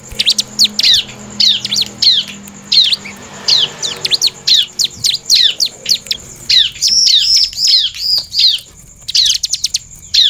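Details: Lively bar-winged prinia song mixed with female calls: rapid series of high, steeply falling chirps in repeated bursts, some slurred rising-falling notes, over a constant thin high tone.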